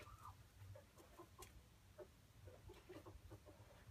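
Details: Red junglefowl giving a run of short, low clucks, single and in quick pairs, spaced unevenly over a steady low background rumble, with a brief higher note near the start.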